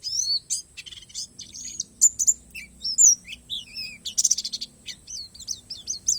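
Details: Bornean 'pleci palas' Oriental white-eye singing an 'isian alam' song: varied high chirps, looping whistles and a loud rapid trill midway, broken by short pauses.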